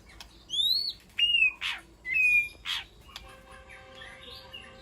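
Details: White-rumped shama in a peaceful aviary, calling to its flock: clear whistled notes sliding upward, then harsh rasping bursts and a flat whistle, followed by quieter distant warbles and a steady faint tone.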